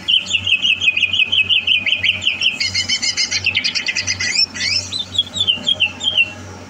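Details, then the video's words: Greater green leafbird readied for competition, 30 November 2022: a dense, fast stream of repeated sharp whistled notes, about three per second, shifting into higher buzzy trills; steady background hum. "Suara Burung CUCAK Hijau"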